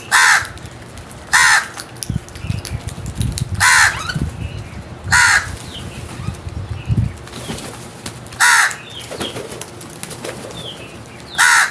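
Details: Crows giving loud, harsh, hoarse caws, six in about twelve seconds at uneven intervals, each short and rasping, with low thumping and fluttering sounds between the calls.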